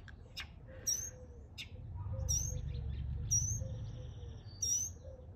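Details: Northern mockingbird imitating a cat's meow: faint, low, drawn-out mewing slurs repeated about every second, mixed with short high whistled notes and sharp chips, over a steady low rumble of background noise.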